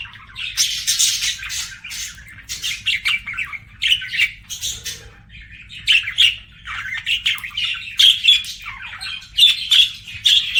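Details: Pet budgies chattering and singing: a busy stream of scratchy squawks, harsh chirps and short warbles in overlapping bursts, with a few clear whistled notes.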